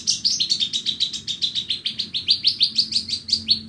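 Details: Horsfield's bush lark from Borneo singing on a bright morning, a fast steady series of sharp chirping notes, about six per second, running continuously.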